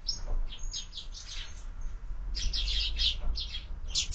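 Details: Morning chorus of sparrows at a feeder attached to a window: dense bursts of bright chirps, a brief lull near two seconds, then more rapid tweeting.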